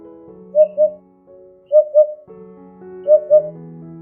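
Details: Eurasian hoopoe gives soft, hollow paired hoots, oop-oop, repeated over sustained background music.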